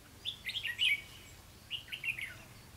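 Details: Lure Red-whiskered bulbul in a trapping setup, recorded 4 November 2016: two cheerful warbling phrases of quick slurred chirps about a second apart, the first louder and longer, the second softer.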